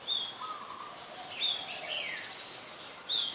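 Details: Brown-throated sunbird in Ubon Ratchathani, Thailand, on 2 January 2021, filmed with a Nikon P1000: three sharp, high chirps spaced over a few seconds, with faint lower slurred notes between them. Quiet natural background.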